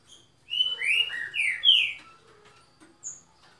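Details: Green-winged saltator (trinca-ferro) delivering a short, loud phrase of four or five rich, slurred whistles that swoop up and down in quick succession, then a pause and one faint high chirp; background otherwise quiet.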